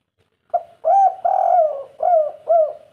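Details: Local spotted dove in the prized 'kuk 3' style, described as a lively, frequent caller: a short soft opening note, then four low, mellow coos, the second long and drawn out, each gently falling in pitch, with a quiet background.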